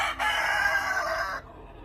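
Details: Rooster crowing: a loud, broad, harsh cock-a-doodle-doo lasting just over a second, then cutting off abruptly, with faint background noise.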